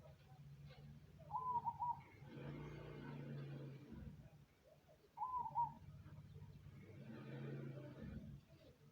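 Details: Cemani zebra dove sings two rippling coo phrases about four seconds apart, each followed by a spell of low rumbling noise.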